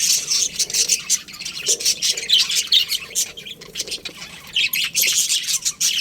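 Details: Loud continuous chatter from a budgerigar colony: rapid, high, buzzy chirps and warbles from many birds, rising and falling with short lulls.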